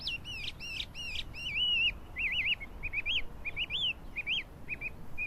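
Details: Chinese hwamei singing, recorded 12 April 2009: loud, varied whistled phrases, fast repeated rising-falling notes and slurred trills in bursts, some phrases sweeping upward, with faint background hiss.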